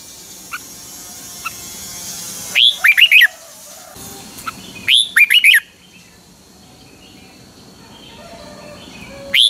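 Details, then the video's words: Caged red-whiskered bulbul from Thailand, a Pa La-u bird singing the song style called phleng boen. Two bubbly phrases of quick warbled notes, each opening with a higher slurred note, about two seconds apart, then a third phrase begins. Faint chirps before them. "เสียงนกกรงหัวจุก นกป่าละอู เพลงเบิ้ล2 เพลงเบิ้ล3"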